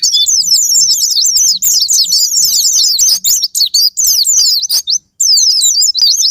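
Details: White-eye sparring-partner lure meant to stir caged white-eyes into song: fast, busy chatter of high zigzag whistled notes running almost without break, with a faint low hum beneath and one short silence.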